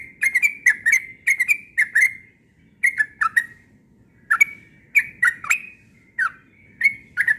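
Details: Yellow-vented bulbul (trucuk ropel) singing persistently in the morning: a long run of rapid, chattering, bubbly whistled notes in quick groups, with short pauses between bursts and sharp clicky edges on many notes.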